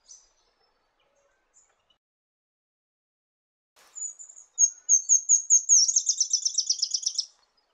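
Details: Red-eared firetail call: a few high thin notes, then a quickening run of short piping notes that ends in a fast, buzzy trill lasting over a second. The bird is clear against near silence.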